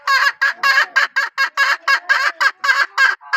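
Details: A hen calls in a steady train of short, loud, harsh notes, about three to four per second, continuing throughout.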